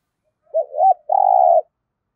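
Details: Single thúc gù phrase from a lure spotted dove used to attract wild doves: a short dipping hoot, a rising second note, then a sustained steady low coo lasting about half a second.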